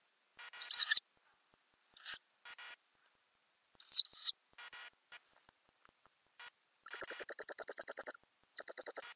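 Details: Ural owl in a nest box, filmed by a camera under the lid during three weeks in May as the owlets grow. High hissing, wheezy calls in short bursts, then rapid trilled, rattling pulses near the end.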